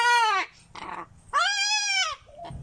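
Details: Male pet cockatoo outdoors in warm sun, displaying and screaming, gives two loud, raucous screeches, the first short and falling, the second longer and arched, with faint muffled background noise between.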